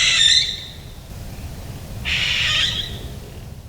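Barn Owl giving two harsh, hissing screeches, each under a second, high-pitched and rhythmless, separated by a pause of about a second and a half.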